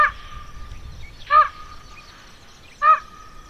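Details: Young common ravens in the Côtes d'Armor, France: two short, harsh, harmonic-rich calls about one and a half seconds apart, over a faint steady tone and quiet background.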